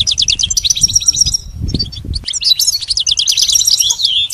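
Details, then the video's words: Tutor song for teaching a pet goldfinch; rapid bright twitters and clipped chirps in dense runs, a brief quieter pause with a low thump, then a renewed burst of jangling, buzzy trilled phrases. "Teaching the goldfinch the art of song-advanced lessons in best chirps"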